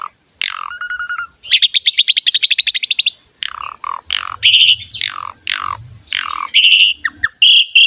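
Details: Energetic Asian pied starling song, used to prompt young or quiet birds to sing. It opens with a clean whistle, then a long rapid rattling trill, followed by sweeping slurred whistles and quick chattering notes.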